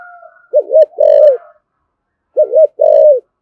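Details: Thổ sấm style spotted dove cooing, thúc gù and calling coos. Two low phrases of a quick wavering note and a drawn-out mellow coo, separated by a second of silence. Faint bird chirps come at the start.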